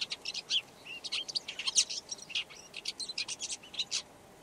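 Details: Red-backed shrike singing a rambling string of thin high squeaks, rasping chips and brief whistles, delivered in quick uneven bursts with little pause, softer against faint background hiss.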